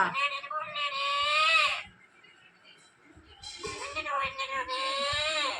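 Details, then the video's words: Caged pet parrot talking and crying after being put in its cage, voicing its complaints: two long, wailing, speech-like phrases with steady harmonic tone, separated by a quieter pause of about a second and a half. "Parrot'talking ഇങ്ങനെ ഉണ്ടാകുമോ നേരത്തെ കൂട്ടിൽ ആക്കിയതാണ് എണ്ണി പെറുക്കി കരയുന്നത് കാണു"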